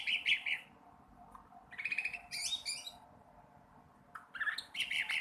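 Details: Juvenile sooty-headed bulbul practising its song, giving rough, raspy chirping phrases of about a second each, some rising and buzzy, broken by short silences.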